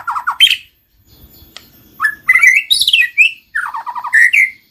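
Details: White-rumped shama song used to trigger singing in another shama: quick chirp bursts, a pause, then varied warbled phrases mixing buzzy notes, rising whistles and rapid descending chips.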